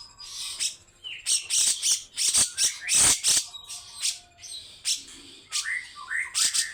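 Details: Grey-cheeked bulbul giving harsh, rough besetan phrases. Irregular grating bursts are mixed with short slurred whistles that rise and fall.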